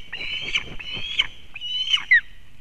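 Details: Osprey female bringing fish to her chick at a Kurzeme nest in Latvia, 31 August 2024, live nest camera. Three long, strained whistles, the last breaking into a sharp falling note, with low rustling and knocking noises underneath.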